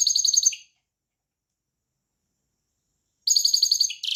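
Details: Goldfinch song in two bursts separated by a few seconds of silence. Each burst is a rapid, liquid twitter of high notes, and the second ends in a short buzzy trill.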